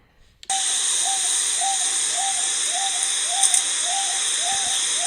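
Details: A male Wonga pigeon, which calls nonstop all summer, sometimes at night, repeats a short, high, upslurred coo about every half second, steady and unending, over loud constant background hiss. Recorded in November.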